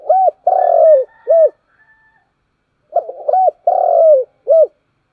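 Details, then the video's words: Repeated morning cooing of a spotted dove: two phrases, each a long buzzy coo falling in pitch followed by a rounded hoot, separated by a brief pause with faint soft notes, in quiet surroundings. "tiếng cu gáy, gáy gọi buổi sáng"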